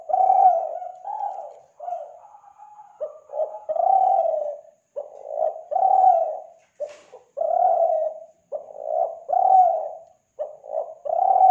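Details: Spotted dove lure call from Kelantan, used to attract other doves: repeated mellow coos, a short stuttered pair of notes followed by a longer drawn-out coo, about every two seconds with brief silent gaps.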